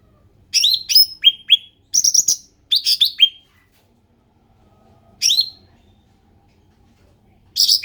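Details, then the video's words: Ruby-throated bulbul, endemic, delivering clusters of high, crisp downslurred chirps and short buzzy phrases in rapid groups, then a lone phrase after a pause and another starting at the end. "SUARA ASLI CUCAK RANTING"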